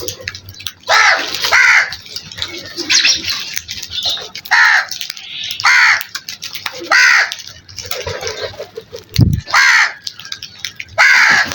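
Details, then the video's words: Crows at morning feeding time giving loud, harsh caws, about ten in a row spaced roughly a second apart, each a rough downward-bending cry; a low thump near the end. "Crows Feeding Time in the morning | Crow Sounds"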